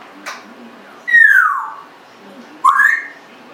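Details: Indoor Congo African grey parrot, a 1.5-year-old pet, whistling two loud clear notes: the first slides steeply downward, the second sweeps upward after a pause, with a faint click at the start.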